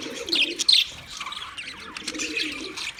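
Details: Budgerigars recorded on 9 March 2024, giving dense high chirps and squeaky warbled notes, with a sharp louder burst of chatter near the middle and a faint low hum underneath.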